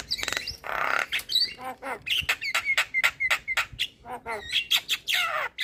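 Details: Javan myna singing a full-repertoire song meant for tutoring and coaxing silent mynas: dense harsh rasps mixed with quick buzzy notes and short whistled slurs, delivered almost without pause.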